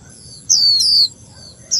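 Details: Female warbling white-eye kept as a cage bird in Vietnam, calling to set the male singing: two piercing high notes gliding downward in close succession, then another after a pause, over a steady low hum.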